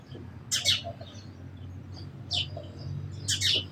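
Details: A sparrow gives three short bursts of bright, high chirps spaced about a second or more apart, over a quiet low rumble.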